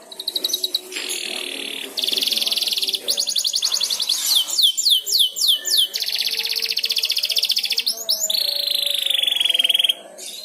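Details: Young canary learning to sing, prompted by another canary's song: a varied song of rapid trills, each a run of repeated notes, including a series of sweeping downslurred whistles, with brief pauses between phrases.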